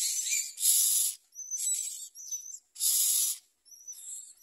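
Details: Common myna babies at the nest, eating little and snapping at their mother: loud hissing rasp bursts separated by silences, interleaved with thin, high, slightly rising whistled notes.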